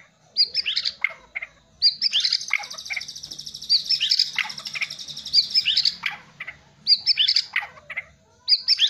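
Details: Singing white-rumped shama: bursts of sharp high notes and a sustained rattling trill, phrases separated by brief pauses and repeated several times.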